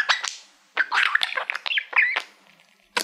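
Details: Male pet budgerigar singing to a shiny silver award plaque that he treats like a favourite mirror: short bursts of scratchy, chattering warble with quick whistled squeaks, broken by a brief pause before a final sharp note.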